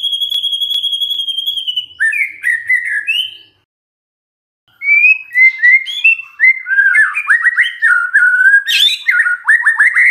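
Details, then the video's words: Magpie-robin song serving as a lure for a silent bird: a long steady high whistle, a few warbled phrases, a brief silence, then a rich, fast jumble of whistles and chattering trills. "murai BENGONG langsung NYAUT dengar pancingan ini"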